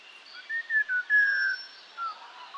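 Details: Song thrush (Turdus philomelos) song: a brief burst of clear, whistled mid-pitch notes, a few short phrases, then a longer sustained whistle, over a quiet background.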